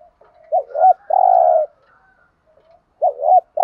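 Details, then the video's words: Decoy spotted dove bought in Dak Lak, Vietnam, kept as a lure to provoke rival males: a short double coo, a long steady low coo, then the double coo again after a pause. No other sounds. "Cu gáy mồi"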